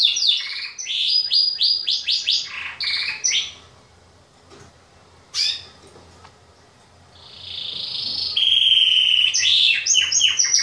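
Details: Male Yorkshire and Waterslager canaries, singing loudly as the days grow longer, give fast bright trills and rapid rolls, break off for a few seconds of quiet, then return with a long, steady, high rolling trill.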